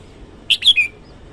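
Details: Brief morning phrase from a red-whiskered bulbul: three quick liquid notes, the last a slurred whistle dropping slightly in pitch, against a quiet background.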